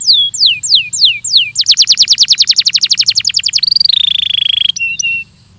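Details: Belgian canary training song, with four down-slurred whistles, a rapid ringing trill, a steady buzzy tone, and a final pair of short clipped notes.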